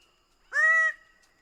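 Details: A single loud Greater bird-of-paradise call, a half-second nasal, honking note that rises briefly and then holds steady, against a quiet background.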